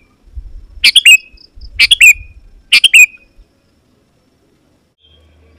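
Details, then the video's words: Sooty-headed bulbul (kutilang) in lively song used to draw in wild kutilang: three quick, bright chattering phrases of two or three notes about a second apart, with a faint low rumbling underneath, then silence. "Suara Burung KUTILANG GACOR Memanggil Lawan Burung Kutilang Liar Auto Nyaut dan Mendekat"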